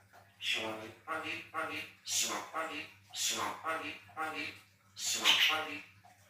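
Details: A Javan myna mimics human sounds, coughing, sneezing and saying "selamat pagi" (good morning), with about seven harsh, voice-like bursts under a second apart over a steady low hum.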